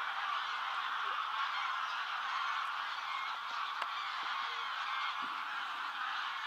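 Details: Geese in flight, with cranes, over a field between Bresewitz and Pruchten near Zingst, Germany: a dense, continuous chorus of many overlapping honking geese, a steady nasal wash with no gaps and no other sounds standing out.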